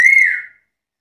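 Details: A brief black-capped lory whistle, steady then gently falling and fading within half a second, with its start clipped off.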